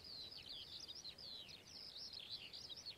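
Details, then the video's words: A whinchat (Saxicola rubetra) sings a quick, scratchy warble of high chattering notes and short whistles, running without pause over a faint background hiss. "Bramborníček hnědý (Saxicola rubetra), Whinchat, Braunkehlchen"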